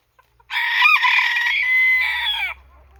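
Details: Japanese bantam rooster, one of a pair kept together, including a silver duckwing (Ginsasa) bird, crowing in one sustained, harsh, harmonic-rich call of about two seconds that wavers slightly and ends in a falling tail; faint low hum behind.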